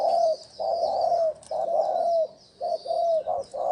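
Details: Spotted dove decoy cooing used to attract wild doves: loud, low, mellow coos repeated about once a second, longer drawn notes giving way to shorter clipped ones, with faint high hiss behind.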